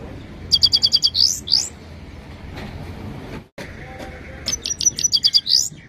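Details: Himalayan goldfinch repeats its phrase twice: rapid high ticks followed by rising buzzy slurs, with a quiet gap between the two phrases.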